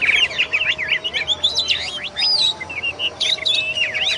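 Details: Energetic kacer song from an oriental magpie-robin: quick zigzag whistles, downslurred notes and chips strung together without pause, over a steady faint background tone.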